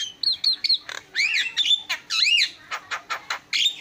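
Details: Javan myna in energetic song with fill-in phrases, mixing clear whistled notes, arched buzzy slurs rising and falling, and a run of short harsh clicks near the end.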